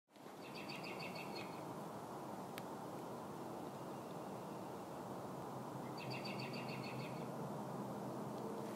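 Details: Robin distress call: two bouts of rapid, evenly spaced notes, each bout lasting about a second and separated by a long pause, over steady broadband background noise.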